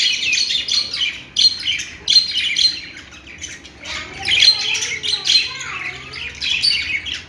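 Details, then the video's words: Chirping budgerigars produce dense clusters of bright, high tweets and short squeaks, coming in irregular bursts with brief lulls, plus a few lower warbled notes near the middle. "budgie chirping sounds"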